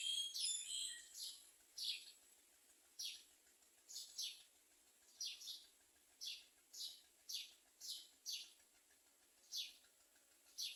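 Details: Common myna feeding its young, carrying nestlings to them as food; a run of quick, falling chirps, sometimes paired, coming every half second to a second over a faint constant hiss.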